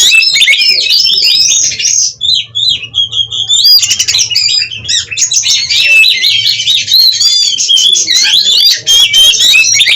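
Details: Oriental magpie-robin from a breeding farm in Cirebon, Indonesia, in continuous 'gacor konslet' singing while puffing up and fanning its tail: a long, unbroken stream of loud, varied whistles, slurred notes and harsh chattering with barely a pause.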